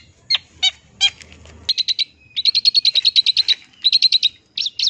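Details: Long-tailed shrike song, full of filler phrases, used as sound therapy to get mute or sluggish shrikes singing: a few sharp high notes, then fast runs of bright chirps repeated about five per second, with short pauses between bursts.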